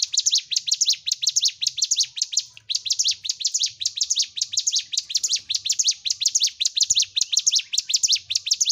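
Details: Constant high twittering song of a bar-winged prinia (ciblek gunung), meant to train caged birds: rapid, shrill, evenly repeated chirps with only a momentary gap early on.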